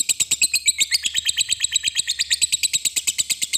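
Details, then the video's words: Lovebird giving rapid 'ngetik' typing-style chatter, used to provoke other lovebirds to sing: harsh high chirps fired in a steady fast run, about seven or eight a second, without pause. "Suara Lovebird Ngetik Di Lanjut Ngekek Panjang"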